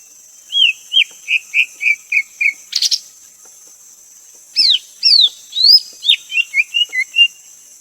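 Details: Greater green leafbird in a lively run of clear, slurred whistles, first eight even notes at a steady beat, a short burst of noise, then faster, more varied rising and falling phrases, with a constant high hiss behind.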